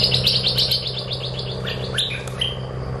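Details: Oriental magpie-robin delivering a rapid run of high, repeated chirps about four per second, then a few longer whistled slurs, over a loud continuous low hum.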